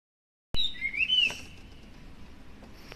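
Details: Chinese Hwamei singing every morning from a hedge in front of a house, rarely showing itself; after a sharp click, one clear whistled phrase slides upward and then holds steady before fading into soft background hiss.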